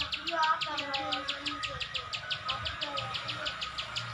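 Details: Regular dry clicks from a ciwah (Plain Prinia), repeated about twice a second in gacor style, over faint descending whistles from another bird and soft low noise.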